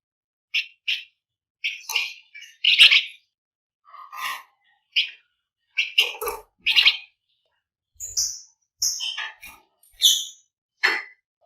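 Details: Energetic, tightly packed flamboyan song meant to prompt other birds into singing: a run of sharp chirps, clipped whistles and brief buzzy notes, each burst under a second, with short pauses between.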